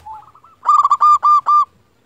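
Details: Local zebra dove call used to lure other zebra doves to respond: a soft low coo, then four loud, full, evenly spaced ringing notes with strong overtones, ending abruptly in silence.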